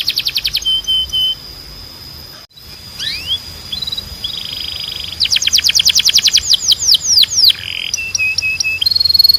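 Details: Canary training song meant to stimulate singing, heard as bright high trills and rapid repeated tours, with upslurred whistles and a clear buzzy note. A brief pause comes near the start, then a long fast-rolling trill follows.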